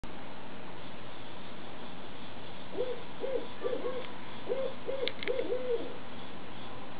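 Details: Owl perched above a creek in the morning, giving a faint series of low, soft hoots in short groups midway through, set against a steady broadband background hiss, with a couple of brief high clicks.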